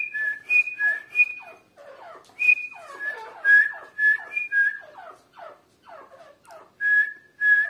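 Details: Female grey francolin calling on 29 November 2022: a fast series of clear whistled notes, each dropping into a lower slurred tail, at about two notes per second with uneven spacing.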